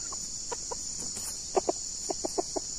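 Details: Red junglefowl being lured by a trapper with a decoy bird, two birds close together; short clucking notes in quick uneven bursts, some doubled, over constant high-pitched insect buzzing.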